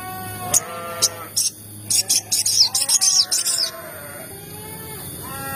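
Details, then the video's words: Sogon (crimson sunbird) lure calls meant to excite other sogon to sing: a rapid burst of thin, high chips and short twittering notes in the middle, with lower drawn-out slurred calls from other animals before and after. "PANCINGAN TERBARU MERANGSANG SEMUA SOGON AGAR CEPAT BUNYI || SEKALI PUTAR CUIT CUIT SOGON EMOSI"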